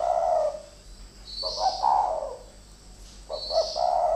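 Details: Spotted doves used as decoys, two of them fighting: three husky coo phrases separated by short gaps, each opening with clipped notes before a longer rolling coo, with thin high chirps between.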